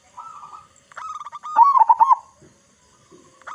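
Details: Local zebra dove with a big voice, singing as a lure for other zebra doves: a soft coo, then quick staccato notes building into a loud rolling, trilled coo, with faint notes trailing off.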